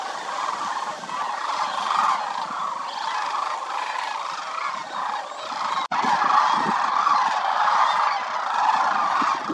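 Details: A massed winter flock of sandhill cranes at Willcox Playa Wildlife Area, more than 20,000 birds, produces a thick, churning chorus of rattling bugles, with a brief break partway through before the calling resumes louder.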